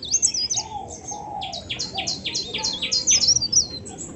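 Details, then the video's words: Bird from Indonesia singing a melodious song: a rapid run of high, sharp chirped notes, interspersed with a few lower, softer whistled notes. "beautiful birds from Indonesia with melodious voice"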